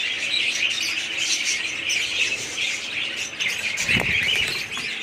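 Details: Many budgerigars in a colony keep up constant high chirping and warbling chatter, broken near the end by a dull low bump.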